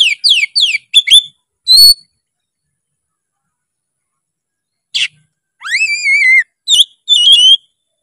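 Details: Oriental magpie-robin song in two bursts: quick descending whistled notes, then a long silence, then a wavering drawn-out whistle and a few sharp clear notes.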